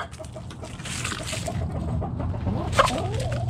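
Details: Backyard chicken flock foraging in the morning, giving short harmonic clucks and a sharper squawk near the end over a steady low hum and rustling ground noise.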